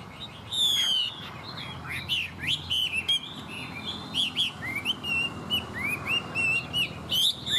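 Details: Singing strongly, a tame Chinese hwamei opens with a harsh, rattling burst, then pours out a steady series of clear, wavering whistles and crisp chirps, with low hum underneath.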